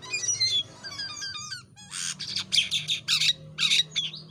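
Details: Jalak kapas myna in chatty form, kept as a tutor bird for training others; a series of short clipped whistles, then repeated harsh rasping squawks spaced about half a second apart.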